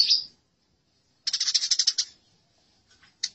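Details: Eurasian tree sparrow fighting: one short chirp, a second of silence, then a brief fast burst of harsh chirps and a few scattered notes.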